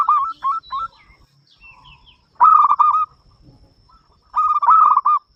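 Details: Loud-voiced local zebra dove, singing to draw other doves into song, delivers a few clipped notes, then two dense bursts of quick stuttering coos about two seconds apart, with faint bird chirps between.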